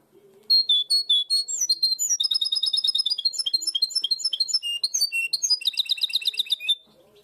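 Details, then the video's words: A European goldfinch hybrid in Barcelona sings its full song, imitating blue tit song: a fast, unbroken six-second run of high, liquid twitters, buzzy trills and tinkling notes, with faint low background sounds. "mixto de jilguero primaveras (herrerillo) a full"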